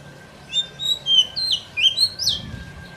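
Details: White-rumped shama lure song for forest trapping, a string of thin whistles and sharp slurred notes climbing higher, over a faint steady hum.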